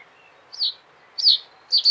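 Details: Reed bunting delivering sharp, high, downward-slurred chirps in a slow sequence, the last one doubled, over a quiet, steady background.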